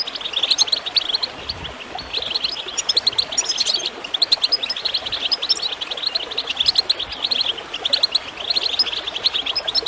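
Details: Goldfinch chirping for encouraging birds to sing, over running water: busy high twittering phrases that swell and fade every few seconds, with occasional low water gurgles.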